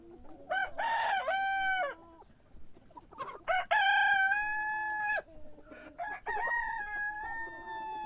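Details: Morning cock crowing, several overlapping drawn-out crows with rich harmonics, one bird answering another, a brief gap of quieter clucks between the long calls.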